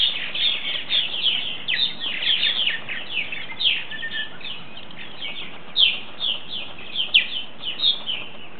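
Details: Purple martins coming in for the night, about ten of them: steady stream of rapid chirping and gurgled chatter from several birds at once, a few louder notes standing out later on.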